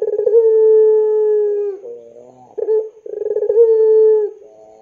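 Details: Puter pelung dove lure call for training young birds. Two drawn-out low coos, each opening with quick throbbing pulses and holding steady, separated by a soft bubbling interlude and a short clipped note.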